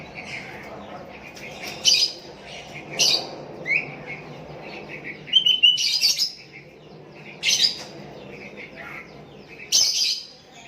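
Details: Sooty-headed bulbul calling to a lure rival while other bulbuls answer; sharp bright bursts roughly every one to two seconds, interspersed with short chirpy notes in a steady background hum.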